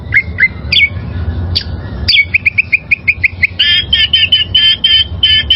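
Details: A wild oriental magpie-robin sings as a training model for caged birds, starting with spaced whistles and sliding notes, then breaking into a rapid series of clipped chirps and dense buzzy trills.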